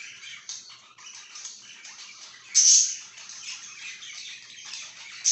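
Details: Soft continuous scratchy chatter from a pet budgie, rising to one loud piercing squeak midway, with another at the very end.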